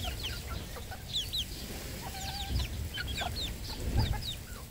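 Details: Red junglefowl kept on a Cambodian farm: a crowd of shrill, falling peeps chirp rapidly and overlap throughout, with one short, flat, level note midway and constant low-pitched background rumble.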